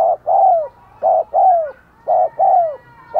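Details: Decoy spotted dove cooing to lure wild doves, in the rapid cooing and calling style. Paired low, hollow coos: a short note, then a longer note that slides downward, with the pair repeated about every second. The background is quiet.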